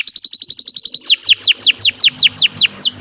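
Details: Canary in full long training song: a very fast high twittering trill that switches to a steady series of bright downslurred whistles, about four each second.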